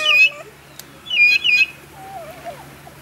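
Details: Vulturine guineafowl (Acryllium vulturinum) at Vogelpark Walsrode, Germany, in 2014, singing: two bursts of harsh, high, squealing notes with a metallic edge, then a fainter, lower wavering whistle.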